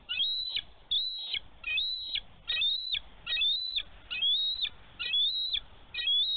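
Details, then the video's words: Female bald eagle at a Minnesota nest on a snowy March day in 2023, defending her egg from a young eagle diving close to the nest; high, thin whistled notes, each rising then dropping, repeated about once a second. "Minnesota DNR Eagles ~ Mom in defense of her egg!"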